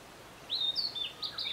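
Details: Brief, bright burst of song from a Narcissus flycatcher at Matsunoyama Onsen, Japan: a rising whistled note followed by several high, clean slurs and a lower downward flick.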